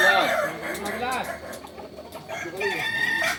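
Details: Kukuak Balenggek singing chickens from Solok give arched, multi-step crows that fade into a quieter gap before louder crowing returns at the end.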